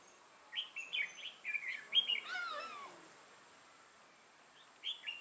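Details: Red-whiskered bulbul with a dark throat and bold bib, a decoy bird used for trapping, recorded 6 November 2018; a run of quick repeated whistled notes, then a lower descending chatter from another bird, a pause, and two more notes.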